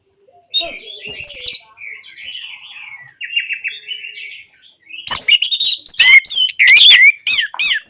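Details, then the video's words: An orange-headed thrush sings, as therapy for silent birds. A loud scratchy phrase opens, then soft buzzy warbling, then a strong run of sharp, rapidly repeated whistled notes over the last three seconds. "Terapi Anis Merah Bisu | AM Macet Jadi Gacor Coba Di Putarkan Suara AM Ini"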